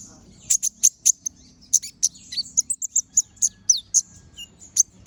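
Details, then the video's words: A brown-throated sunbird sings in chattering style with sharp, shot-like bursts, used to train other birds: evenly spaced high piercing chips, several downslurred notes and a brief trill, over faint hum. "Pancingan Suara Burung Konin Gacor Ngobra Tembakan Tajam"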